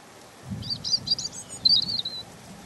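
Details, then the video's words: European robin, called zaryanka or malinovka, singing a tender song: a short burst of thin, high, rapid twittering notes followed by a drawn-out high trill, over a faint low rumble. "Ласковое пение Зарянки(малиновки)"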